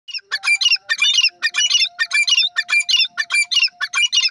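A female francolin gives harsh, scratchy squawks in a fast, uneven series, about two bursts a second, over a faint steady hum.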